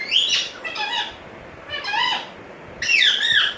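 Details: A pet African grey parrot that talks, whistles and calls names gives four quick bursts of voice-like, gliding calls and whistles in about three seconds, rising and falling in pitch, in a quiet room.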